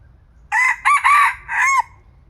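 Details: Red junglefowl, a young decoy cockerel newly brought out and at a bold, feisty age, recorded in 2025 during decoy trapping. It gives one crow in four harmonic-rich segments, the last drawn out and falling, over quiet background.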